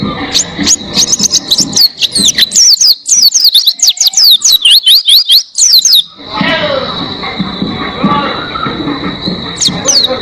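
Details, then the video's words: Oriental white-eye song recorded to train other cage birds; six seconds of rapid, high, piercing twitters and swooping notes, then mostly a hissing background with one short burst of high notes near the end. "Masteran Pleci Gacor Buka Paruh Durasi Panjang Suara Jernih"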